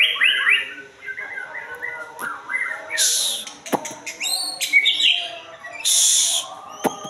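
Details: White-rumped shama, described as a 'jalur murai' song style, delivering a varied run of rich whistled phrases, then bright buzzy bursts and sharp chips, with steady rising and falling notes throughout.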